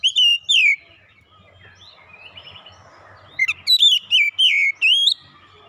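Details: Oriental magpie-robin song: two loud slurred whistles, a long quiet stretch, then a rapid run of sharp clicks and rising and falling whistled notes.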